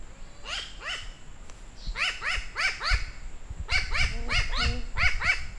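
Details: New Caledonian crow recorded during fieldwork, giving loud, nasal, arched calls with rich harmonics, delivered in quick bursts of two to five notes separated by short pauses, over a low rumbling background.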